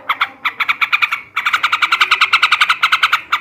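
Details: Male sooty-headed bulbul singing ngebrem ngekek chatter meant to raise breeding urge: fast, harsh, evenly pulsed notes about two per second, one short run then a longer unbroken stream.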